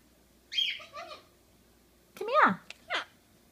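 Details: Talking pet Monk parakeet (Quaker) inside a room: a short high squawk with falling tails, then a sweeping voice-like syllable and a brief sharp follow-up note.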